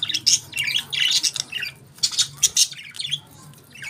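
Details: While eating their favourite food, budgerigars keep up quick squawky chirps and scratchy warbling, notes tumbling rapidly with a brief quieter gap near the middle.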